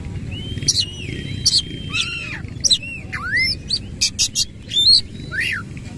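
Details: Oriental magpie-robin singing energetically in the rapid 'nembak ngerol' style with its tail fully spread: clear whistled slurs rising and falling, mixed with sharp buzzy chips and scratchy bursts in quick, irregular succession over a faint low background hum.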